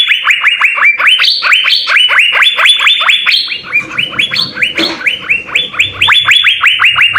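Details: Asian fairy-bluebird (cucak biru) song from six vigorous singers recorded for training songbirds: a continuous stream of loud, rising, slurred whistles, roughly two per second, some notes pitched higher, with faint low noise in the middle.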